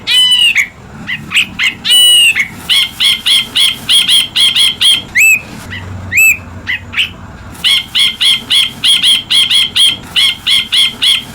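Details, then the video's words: An ashy bulbul (Hemixos flavala) gives a rapid run of bright, sharp chirps, about three or four a second, with a few rising whistled notes over a faint low traffic hum. "Master Bird Chirping Sound Effect Hemixos Flavala/Brinji Kelabu"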